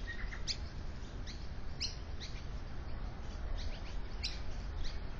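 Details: Australian magpie nesting with young chicks in a suburban Melbourne tree, Victoria, picked up by a mounted security camera: brief high sharp chirps in loose bursts, with one lower short note at the start, over low background rumble.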